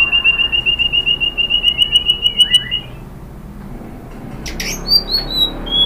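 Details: White-rumped shama song for provoking another bird: a fast steady trill of repeated notes on one pitch for about three seconds, a quiet gap, then sharp high whistled upslurs.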